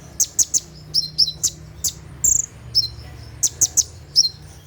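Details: At night, a kolibri ninja sunbird delivers 'tembakan' song for mastering caged birds: crisp, piercing high chips in pairs and small clusters, with brief gaps between groups and a faint low hum beneath.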